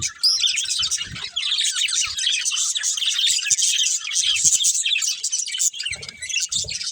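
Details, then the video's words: Budgerigars, a breeding pair with family, chirp continuously in dense, scratchy high warbles and twittering, with a steady overlapping chatter throughout and a few soft low thumps. "Cute Budgies Chirping Sounds"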